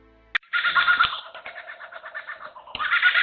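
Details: Laughing kookaburra giving its territorial call, a distinctive laugh often delivered by several birds at once: harsh, harmonic chuckling broken into rapid pulsed notes, with loud outbursts at the start and again near the end, after a brief tonal sound.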